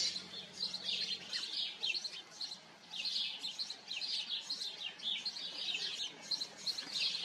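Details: Many house sparrows chirping together at their colony, short sharp notes in overlapping bursts with brief lulls between them, and a faint low hum at the start.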